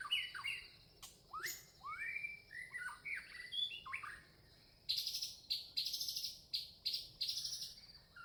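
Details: Red-vented bulbul, a small bird of India, chirping with quick, slurred whistled notes in loose clusters. Later come sharp, high, scratchy bursts, all over a constant thin, high buzzing background.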